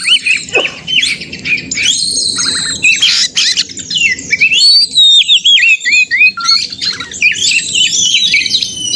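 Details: Oriental magpie-robin fighting song (narung), used as a lure to provoke other magpie-robins to sing and spread their tails: fast, loud, high jumble of sweeping whistles, trills and harsh notes, almost continuous, over a low steady background hum.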